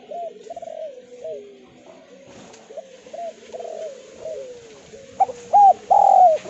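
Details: Spotted dove call played as a lure for quiet doves: soft, muffled coos drawn out and falling at first, then three loud clear coos near the end, over low background murmur.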